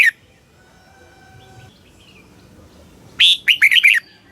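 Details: Red-whiskered bulbul song from Thailand, for stimulating caged birds: a long quiet stretch with faint background tones, then a loud phrase of five quick, fluty warbled notes near the end.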